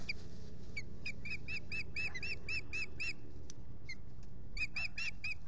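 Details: Osprey pair at their nest on a lake in spring, courting and adding sticks; a series of clear, high, whistled chirps repeated about four per second in two bursts, over steady low background rumble.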